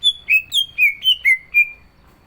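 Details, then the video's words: Green leafbird with a song filled with mimicked phrases, ready for a contest: seven loud, rapid whistled notes alternating high and lower pitch, each sliding downward, then silence. "CUCAK IJO GACOR ISIAN"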